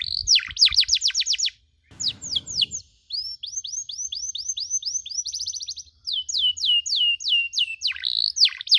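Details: Canary chirping as training material for canaries learning cuit-cuit: fast falling notes, a short burst of noise, then steady repeated whistled chirps and rapid trills.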